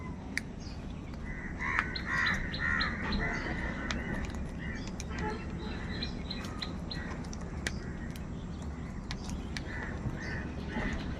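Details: Many crows calling in the morning: harsh, harmonic caws in overlapping bursts, some drawn out, others short, with sharp clicking ticks scattered throughout and a low rumbling background.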